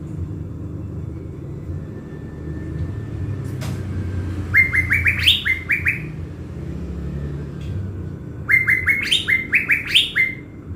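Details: Decoy blue-winged leafbird in Bình Thuận, Vietnam, prepared for luring wild birds in the forest. It gives two bursts of rapid whistled notes about four seconds apart, each a stuttering chain of rising whistles with higher accents, over a steady low background hum.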